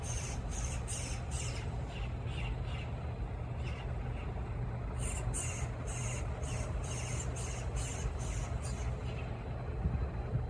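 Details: Eastern bluebirds feeding fledglings give harsh, raspy bursts in quick runs, several per second, fading and returning, over a steady low rumble of traffic.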